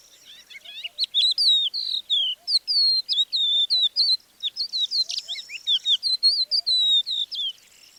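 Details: Crested Lark near Divnoye, Manych, north Stavropol, early morning 21 April 2024: a wary singer at first giving short alarm or indignation phrases, then more elaborate series, here a fast run of clear high whistles and slurred chirps for eight seconds.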